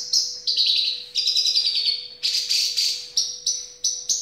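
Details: Javan bush lark song with high buzzy trills sliding slightly downward, then a series of clipped, bright repeated notes about three per second, all loud and close, with a faint steady hum behind.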